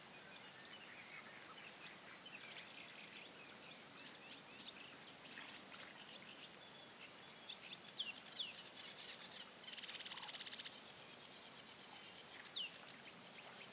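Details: Bearded tit fledglings of 2017 call among themselves: scattered pings and short downward slurs, a rasping buzzy burst around ten seconds, and steady high ticking throughout, with a hissing outdoor background.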